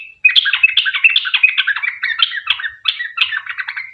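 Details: Fast, chattering 'ropel panjang' song of a yellow-vented bulbul, played as a lure so other bulbuls answer. Tumbling gurgled and whistled notes come in a nonstop stream of short slurred phrases.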